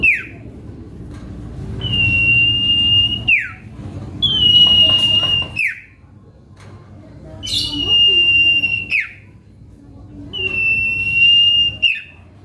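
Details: Common Iora song, the cipoh kacat style used to lure and provoke rivals: four long, level, high whistles, each about one and a half seconds and ending in a sharp falling slur, separated by short quiet gaps.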